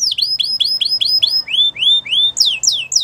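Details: A wild canary's morning song: repeated swooping whistles, then slower rising notes and a few high, steeply descending calls.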